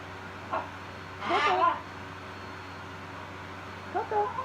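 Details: A pet macaw speaks some words during its evening preening: three brief, raspy, speech-like utterances, the middle one longest and loudest, over a faint steady indoor hum.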